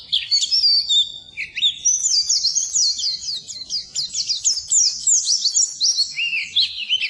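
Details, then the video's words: Song of an Oriental white-eye, recorded as tutor material for birds that will not sing. It opens with a few separate high whistled notes, then runs into a fast, continuous stream of thin, bright twittering phrases. "Suara Burung Pleci Masteran Pleci Full"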